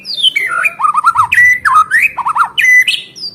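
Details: Loud, varied song of a white-rumped shama meant to restart singing in caged birds: a high downslurred whistle, then repeated looping fluty notes and quick trills that rise and fall in a steady, musical stream.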